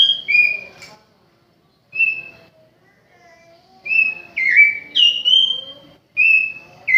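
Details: Home-kept oriental magpie-robin singing in spaced phrases of clear whistles, short steady notes alternating with slurred rising and falling ones, separated by pauses of about a second, with faint low background murmur.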